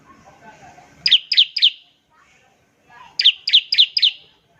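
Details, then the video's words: Bar-winged prinia, used to draw other prinias into song, gives two brief bursts of three and four sharp high notes, rising at the start, separated by a pause of over a second. "ciblek semi gacor, NEMBAK NGEBREN untuk pancingan ciblek semi agar cepat bunyi"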